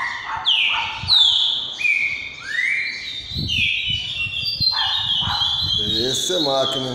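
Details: Green-winged saltator in "boiadeiro repetidor" song: loud whistled phrases with upward slurs and level notes, followed near the end by a man talking.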